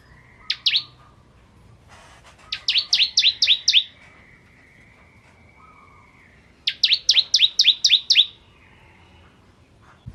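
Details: Ciblek kristal, the bar-winged prinia, singing well for a magpie-robin training track: a single chip, then two separate bursts of about six quick, sharp rising notes each, spaced by quiet intervals with faint hum.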